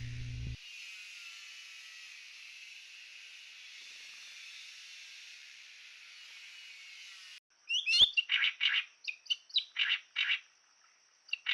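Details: Bronzed Drongo at Rocky Pool, Huai Khayeng Nature Park, in April 2024, caught on a trail camera, giving a quick run of sharp, varied metallic chirps and twangs after a long steady hiss of background noise.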